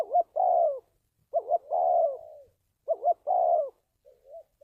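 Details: Spotted dove used as a lure for trapping, cooing in a repeated phrase: two short rising notes then a longer falling coo, repeated about every one and a half seconds, with a soft quiet coo at the end.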